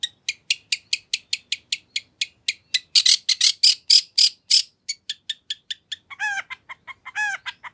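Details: Lure song of a long-tailed shrike with nagen fill-ins, meant to make a rival shrike answer: rapid ticking notes give way to loud, scratchy bursts, then quick chips broken by two harsh, descending rasps.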